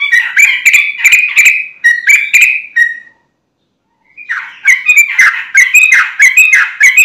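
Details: Gacor sooty-headed bulbul singing as a lure for untrained bulbuls: lively chattering, bubbly phrases, a one-second pause, then another animated run of quick liquid notes.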